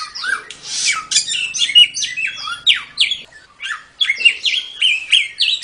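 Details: Samyong song used to train songbirds: dense, energetic sequence of rich whistled notes mixed with rough, buzzy calls, falling and rising quickly, with a short lull before the song resumes.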